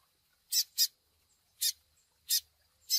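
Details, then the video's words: Double-collared seedeater chick calls from a training recording: five short, harsh, broadband chips, the first two close together, then single notes spaced about half a second to a second apart, with silence between. "Canto TUI TUI com Piado de Filhote para encarte de Coleiros"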